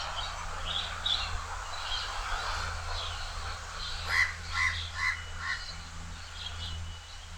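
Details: House crow calling loudly from a high perch, Changi Beach Park, Singapore. Four rasping caws follow in quick succession midway through, after high twittering from other birds, with a constant low rumble underneath.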